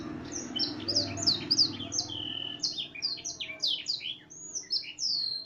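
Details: Canary of the F1 line, tutored on black-throated canary song, pouring out quick high whistled notes at roughly three per second, each sliding downward, with a soft low hum in the background.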